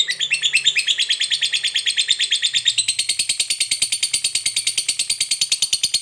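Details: Lovebird giving the long chattering 'ngekek panjang' song, used to provoke other lovebirds into singing: a steady rapid chatter of harsh notes, about three per second, jumping to a higher, thinner pitch midway.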